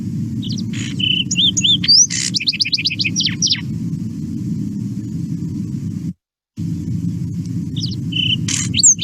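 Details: Lark sparrow (Chondestes grammacus) sings a remixed song, each rendition different: a jumbled run of clear whistles, quick trills and inserted harsh, buzzy raspberry-like notes, over a steady low rumble.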